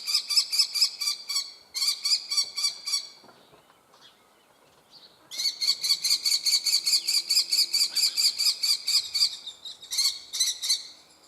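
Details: A young common kestrel begging with quick runs of shrill, harsh, ringing notes in bursts of several seconds separated by short quiet gaps; recorded in the Eifel region, Germany.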